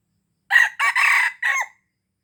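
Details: Red junglefowl from Aceh, a call used to lure wild birds: a loud, clear crow of four segments, brief first note, drawn-out harsh middle and a downward-bending ending, no other sounds.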